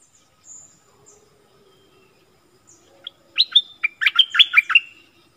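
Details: Stripe-throated bulbuls, wild birds approaching a caged decoy bird on 1 April 2021, likely nesting nearby. Faint thin high whistles at first, then one rapid, bubbly, chattering phrase of several warbled notes near the end.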